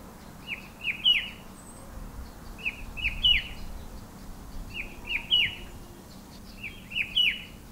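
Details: Himalayan shrike-babbler, white eye stripe and rufous wing patch, perched on a bare pear tree in an orchard and botanical gardens in the hills; short rising two-to-three-note whistled phrases repeated about every two seconds, with faint background hum.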